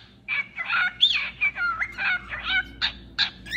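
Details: Burst of cockatiel vocalising: scratchy, bending chirps and squawks with rising and falling slides, tumbling quickly one after another with little pause.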